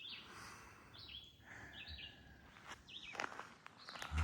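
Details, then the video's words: A Red-eyed Vireo on 26 July near Lottery Road on the Appalachian Trail by Mount Killington sings short, slurred robin-like phrases about a second apart, over footsteps and a low outdoor rumble. "got a nice audio of the Red-Eyed Vireo!"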